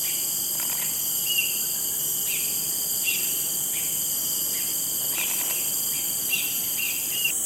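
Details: Ashy or Cinereous Bulbul, a rare non-breeding visitor to Singapore, calling without pause with its partner audible intermittently: quick, thin, downslurred call notes scattered through the clip, some in close pairs, against a steady high-pitched insect chorus.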